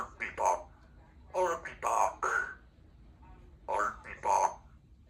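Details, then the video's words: Two-year-old female Congo African grey parrot practising her words and sounds in the afternoon, chattering human-like phrases in a few bursts with pauses, in a quiet room of a country home shared with two other parrots. "African Grey Talking Parrot practicing her words and sounds"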